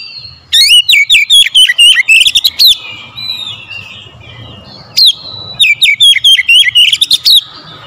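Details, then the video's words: Oriental magpie-robin, a kept bird described as singing vigorously after being prompted, delivers rapid strings of loud, sharply slurred whistles and chips, pausing briefly before a second energetic burst. "KACER HARIAN MALAS BUNYI SEKALI PANCING LANGSUNG GACOR"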